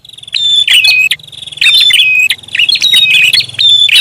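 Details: Prinia lure call, rapid chirps and twittering whistles in quick repeated phrases over a faint low rumble.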